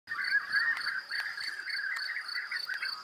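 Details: European bee-eaters in spring breeding season after migration to the Iberian peninsula, among flowering grey-leaved cistus, give a steady chorus of overlapping rolling 'prruip' calls, with high continuous insect drone and a few sharp clicks.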